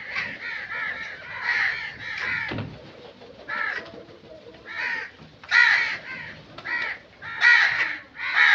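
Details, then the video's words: Crows giving rough, hoarse caws, first in a quick cluster, then spaced singly, growing louder and harsher toward the end. "Crow Sound Effects"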